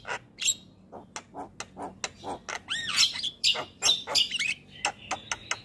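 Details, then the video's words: Javan myna singing, recorded to prompt lazy birds to sing: spaced dry clicks that speed up into a busy stretch of looping whistled slurs and harsh squawks, ending in a thin level whistle. "Pancingan Jalak Kebo Malas Bunyi"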